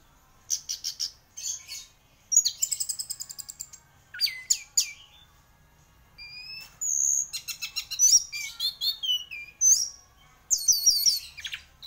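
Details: Orange-headed thrush, described as a champion bird in constant full song, delivers a rapid medley of high, varied phrases: sharp chirps, buzzy trills, clear whistled slurs, and quick repeated notes in bursts with short pauses. No other sounds stand out.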